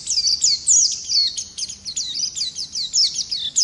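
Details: Continuous rolling song of a wild-type Oriental white-eye (pleci ngalas), recorded as a master for tutoring songbirds: rapid high-pitched twittering, looping downslurred whistles strung tightly together, barely pausing.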